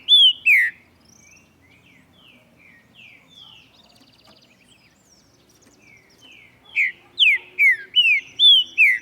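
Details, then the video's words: Morning song of a displaying green-winged saltator, Saltator similis: two bright slurred whistles, a lull with soft distant twitters and a brief buzzy trill, then six loud downslurred whistled notes in quick succession. "VEJA O TRINCA-FERRO CANTANDO E OUÇA COMO É GOSTOSO COMEÇAR O DIA OUVINDO O CANTO DOS PÁSSAROS."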